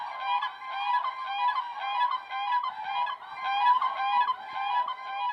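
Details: Siberian (white) cranes at Oka Reserve nursery, Brykin Bor, Ryazan region, Russia, in frosty March late winter: soft, flute-like whistled notes calling together, overlapping and repeated roughly twice a second, heralding spring and approaching courtship.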